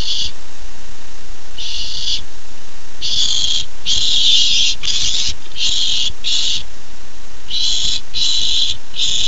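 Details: Barn owl owlet, excited as it gets its first treat on 13 July 2015, giving harsh, breathy hissing screeches in irregular bursts, some short, some long and run together, over steady low background hum.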